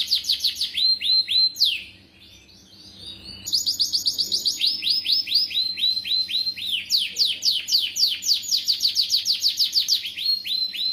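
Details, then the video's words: Canary song played to get young canaries singing: dense rolling trills of high sweeping notes repeated about four times a second, a short pause, then long, steady runs of fast chirps and descending slurs. "Suara Burung Kenari Gacor bagus untuk pancingan Kenari paud"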